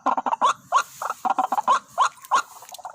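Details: ['At a decoy site where two white-breasted waterhens arrived, quick clucking notes mix with louder upslurred calls in an uneven, busy sequence.']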